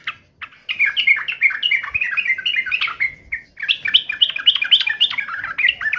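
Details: Yellow-vented bulbul song answering and taunting a rival: a rapid, bubbling run of bright chirps and slurred notes, pausing briefly midway, then resuming more energetically.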